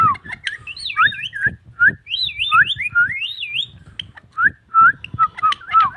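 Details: Indian ringneck parakeet, shown talking and dancing, delivers a fluid stream of undulating whistles that wobble up and down in pitch, broken by short clipped whistled notes and a soft low rumble beneath.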